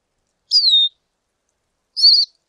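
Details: Lesser goldfinch giving two high, clear calls: a descending whistled note, then after a long pause a shorter wavering, slightly buzzy note; quiet background otherwise.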